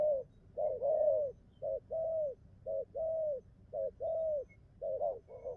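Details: Newly singing wild-caught young spotted dove cooing well: paired low coos, a short note then a longer bowed one, repeated about six times with brief gaps between pairs.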